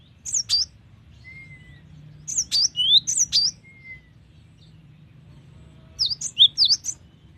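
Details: Cinereous tit in full, varied gacor song: three groups of sharp, high slurred notes, two to four per group, spaced a few seconds apart, with a faint level whistle from another bird in between.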